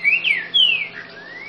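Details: Ultramarine grosbeak, known locally as trinca-ferro grego boca mole, sings clear whistled notes, two short ones, a long falling slur, then a soft rising whistle to close.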